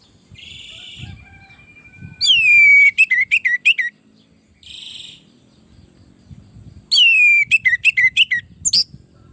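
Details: Orange-headed thrush singing, used as a tutor and lure song to prompt other birds to answer. Two loud phrases about five seconds apart, each a downslurred whistle followed by quick staccato notes, with softer buzzy notes and faint low rumble between.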